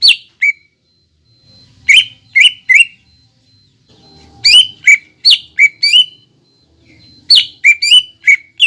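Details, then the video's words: Greater green leafbird song used as a lure to start a bird singing: scattered bursts of sharp, slurred whistles and squawky chirps, with quiet gaps between groups. "PANCINGAN CUCAK IJO BAHAN AGAR BUNYI DAN GACOR"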